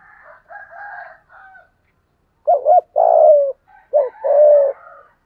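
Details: Lure call of a spotted dove with a deep 'giọng thổ' voice: higher harsh, rasping calls at first, then after a pause two rounds of a quick dipping coo followed by a longer falling hoot.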